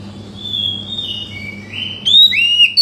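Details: Oriental magpie-robin song used to stir a quiet bird into song: a long drawn, gently falling whistle, followed by a brighter rising phrase and sharp notes, over a low hum.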